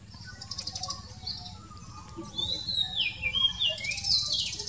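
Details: Magpie robin singing: a run of varied whistled and warbled phrases around high pitch, sliding notes and rapid twittering trills, loudest in the second half, over a steady low background hum.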